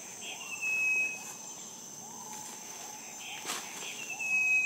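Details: A striped wren-babbler in Malaysia, an active and loud caller, gives a thin, pure, high whistle, repeated after a few seconds, over a shrill insect chorus and soft lower bird notes.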